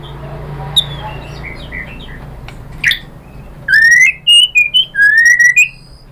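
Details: White-rumped shama song used as a lure to provoke replies. Faint distant notes and a click come first, then a loud burst of rising and level whistles in quick succession, with a steady low hum throughout.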